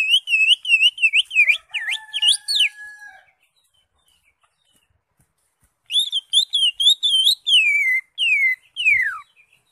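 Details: Caged green leafbird in full, lively song to encourage a silent bird: two bursts of rapid warbled whistles, looping and slurred, with a few sharp downward notes and a short pause between the bursts.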